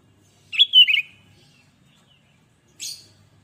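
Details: Chatty sooty-headed bulbul whose song is played to set other bulbuls calling: one fluid warbled phrase of tumbling whistled notes, then a short buzzy chirp after a two-second pause.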